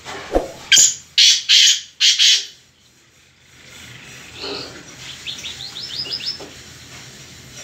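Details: Black francolin (kala teetar) calling: a series of five loud, harsh, grating notes in quick succession, followed by faint, higher, thin twittering from another bird.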